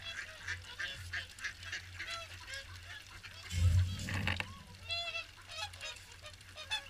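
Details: Gathered swans call during the morning feed at WWT Caerlaverock, a steady chorus of bright, nasal honks overlapping throughout, with a brief rumble of wind in the middle.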